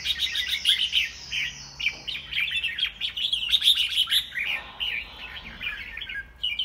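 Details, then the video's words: White-rumped shama in a domestic singing contest, pouring out a dense, rapid run of chattering and warbled notes, then pausing before a short whistled phrase. "Giám khảo chích choè lửa"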